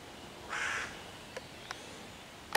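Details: A hooded crow harassing five young raccoons in a tree on 11 June 2023, cawing to drive them off and summon other crows, gives a single harsh, hoarse caw of about a third of a second, then faint sharp clicks.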